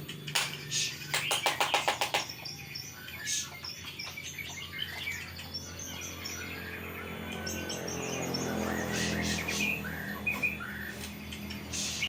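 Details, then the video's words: Magpie-robin described as sulking: scattered thin, high chirps and short whistled notes with varied pitch, opening with a quick run of rapid clicking notes, over a steady low hum and background noise. "Burung murai lagi ngambek."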